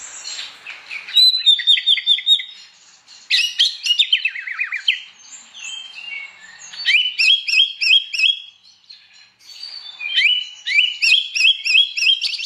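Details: Oriental magpie-robin singing in the morning in loud open ngeplong style, meant to provoke other magpie-robins into singing; bursts of rapid descending slurred whistles and sharp chirps, separated by brief pauses.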